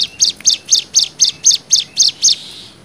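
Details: Cigun singing in nembak style, used as a tutor song for young birds: about ten sharp, high chirps spaced evenly, roughly four per second, before a quiet fading tail.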